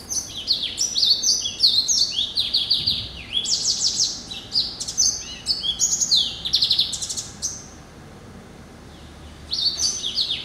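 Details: Pet cross between yellow-eyed canary and timbrado, a male hatched November 2012, singing long bright strings of fast trills and buzzy rolled phrases, pausing near the end before resuming.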